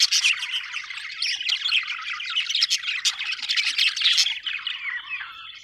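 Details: Happy budgies chattering nonstop with rapid, irregular chirps and scratchy warbles, about four notes a second, fading slightly toward the end.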